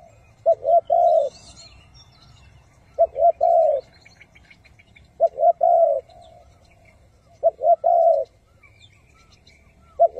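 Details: Spotted dove cooing as a trap decoy for wild doves, hậu, thúc and gù styles: four regular phrases roughly every two and a half seconds, each two short coos then a longer mellow one.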